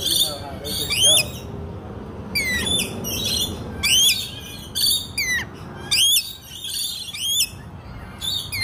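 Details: Captive lorikeets talking and eating at an ostrich and deer farm in Picacho Peak, Arizona, chatter in bursts of shrill, harmonic chirps and squeals that sweep up and down, roughly once a second, over a low rumble.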